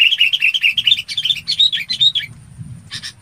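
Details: Red-whiskered bulbul calling its flock: a quick warbling run of chirpy whistled notes rising slightly in pitch for about two seconds, followed by one short harsh note.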